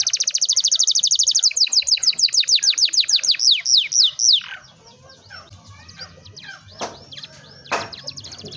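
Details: Long rolling canary song used as a prompt for young canaries learning to sing: a fast high trill slows into separate descending notes, followed by quieter scattered chirps and faint background noise.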